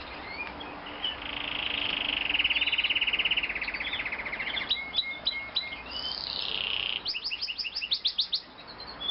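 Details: White canary, a three-year-old male, giving his morning song: a long fast rolling trill, sliding whistled notes, then rapid rising chip series, over a steady background hiss.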